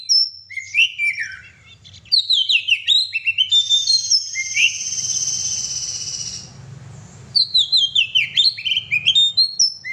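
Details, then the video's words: Oriental magpie-robin (kacer) giving gacor song: crisp whistled, falling phrases at the start and end, broken in the middle by a steady high hissing buzz lasting about three seconds. "kacer gacor"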